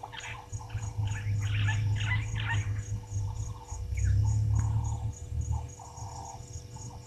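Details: Live waterhole camera at Gowrie dam, Djuma Game Reserve, Sabi Sand, South Africa, 26 June 2023, 16:54: brown-headed parrots give a rapid cluster of harsh chattering screeches in the first seconds, then sparse softer notes over insect pulses and low rumble.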